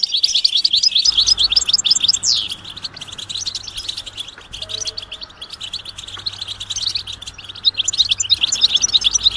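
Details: European goldfinch chatter, described as mating and readiness calls that rouse males to sing: a continuous high, liquid twittering with fast stuttered notes and occasional downslurred trills, louder at the start and end.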